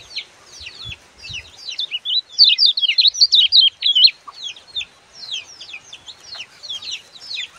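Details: Lemon-bellied white-eye master song for training young birds: continuous rapid, chattering high twitters, densest in the middle, with a few soft low thumps early on.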